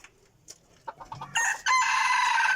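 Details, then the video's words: Crowing decoy cockerel, 2021: a few faint knocks and rustles, then a sudden loud, harmonic crow that holds steady for about a second before cutting off. "qaib dib qua zoo heev li"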